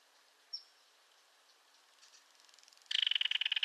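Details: One sharp high note, a quiet stretch with a soft build-up of ticks, then a loud rapid mechanical rattle from a belted kingfisher that runs to the end.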